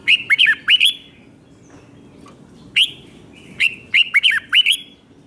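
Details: Red-whiskered bulbul in Thailand with a doubled 5-syllable song meant for young birds to copy. A quick looping phrase, a lone sharp note, then a longer rollicking phrase of about six whistled notes.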